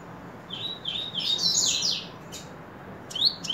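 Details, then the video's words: Double-collared Seedeater singing level whistled notes that run into a loud, blurred buzzy passage, then clicks and short rising whistled sweeps toward the end. "Coleiro Espaik do nosso amigo Elias!"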